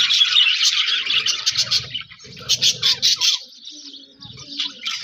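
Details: Budgerigars in an Australian budgie aviary colony give bright, chirpy warbling chatter. Quick rising and falling notes come in dense bursts, with a run of evenly spaced sharp chirps near the middle and quieter low rustling beneath.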